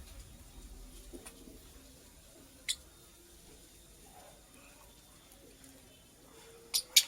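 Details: Female purple lovebird busy building a nest: one isolated piercing chirp, then after a long pause a quick pair of bright, high-pitched chirps at the close, over a low indoor hum.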